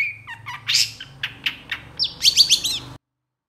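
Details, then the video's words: Long-tailed shrike in full, busy song: a rapid, varied run of high chirps, sharp clicks and slurred whistles, about four notes a second, for three seconds. "SUARA CENDET FULL ISIAN GACOR DOR"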